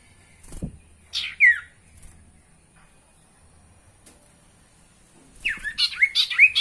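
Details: Sirtu song recorded as a lure to prompt caged sirtu to sing. Sharp, high chirps sweep downward in a short burst, then a denser run of rapid descending chirps near the end over a faint steady hiss.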